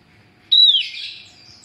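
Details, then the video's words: Female Javan grey-throated white-eye calling to lure males, making others answer: a single clear whistled note falling slightly, followed by a brief buzzy trailing burst. "Opior Jawa betina gacor untuk pancingan pejantan"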